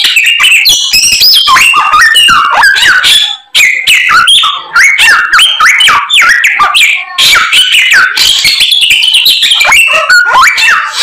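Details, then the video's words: White-rumped shama in vigorous song rich with mimicked phrases: varied clear whistles, falling slurs and quick chipping notes in tight sequences, with one brief pause partway through. "BURUNG SAMYONG GACORR FULL ISIAN"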